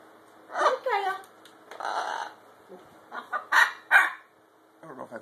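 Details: A pet Catalina Macaw "singing (sort of)" and dancing while hamming it up for the camera. It gives a string of short, warbling, slightly harsh vocal bursts, about six in five seconds, while a person talks nearby.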